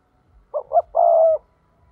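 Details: Decoy spotted dove calling in the 'thúc' style used to attract wild doves for trapping: one phrase of two short, throaty, rolling coos followed by a longer, steady, buzzing coo.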